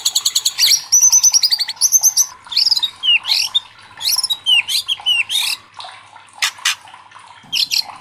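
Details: White-rumped shama song for challenging other shamas: quick trills, then varied sharp whistles and sweeping slurred notes given in short separate bursts.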